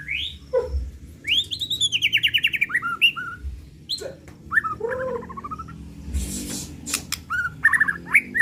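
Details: White-rumped shama singing agitated 'pastol'-style lure song with its repertoire: varied rising and falling whistles, rapid trilled sweeps, and sharp clicks in quick succession, with brief pauses and low background hum.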